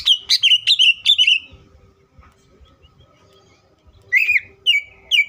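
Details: Green leafbird song played as a lure to make other leafbirds sing: a fast run of loud piercing whistles stepping down in pitch, a quiet pause with faint hum, then three more clear whistled notes.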